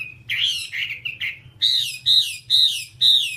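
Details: Whambie tutor song for caged-bird training: a few jumbled whistled notes, then four clear, evenly spaced high slurred whistles, each falling away at the end, about twice a second.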